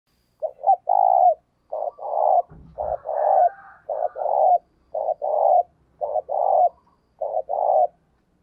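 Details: Decoy spotted dove cooing vigorously, used to stimulate wild doves to coo; mid-pitched, rounded coo phrases repeated about once a second in a steady series, with a brief higher rasping note near the middle.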